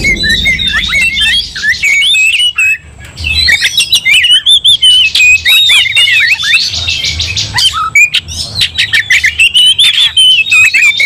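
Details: Agitated White-rumped shama delivering a fighting song after provocation: varied whistled phrases mixed with chattering rasps and sharp clicks, a short lull near the third second, then a long dense burst.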